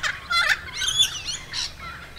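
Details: Noisy friarbirds at Spring Mountain, Logan, Queensland, on 26 September 2022, give harsh, raucous cackling notes in quick bursts with a few brief clearer tones mixed in, over a quiet background.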